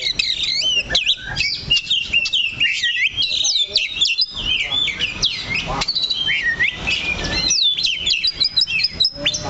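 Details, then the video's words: Kacer, an oriental magpie-robin holding one spot on its perch, sings an energetic sequence of sharp upslurred and downslurred whistles, chirps and brief rattling notes in rapid succession. "KACER THE LOCO NANCAP 1 TITIK"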